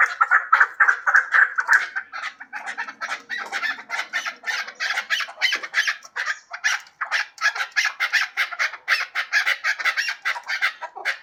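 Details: Hybrid chukar partridge giving a long run of rapid, harsh chuk notes, several per second, dense and overlapping as if from more than one bird, with a brief softer low murmur in the middle.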